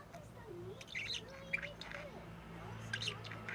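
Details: Six-month-old female budgerigar practising her calls and talking: soft gurgling warble with swooping tones, a few sharp chirps, and a low steady hum underneath.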